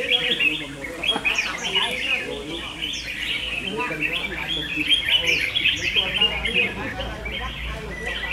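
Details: Red-whiskered bulbul singing contest, a continuous jumble of quick chirping and warbled notes from multiple birds, with short downward whistled slurs cutting through and a faint low hum.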